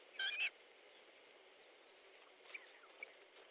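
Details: Osprey at a nest in Estonia on 14 July 2014 around 12:50, during a fish delivery: a brief burst of high, slurred whistled notes at the start, then two faint short whistles later over a steady background hiss.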